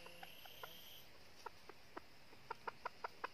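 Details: Red-eared decoy junglefowl hen, northern region, used to trap wild junglefowl: short dry clucks, sparse at first, then quickening into a rapid run of five or six near the end, over a steady high insect hum.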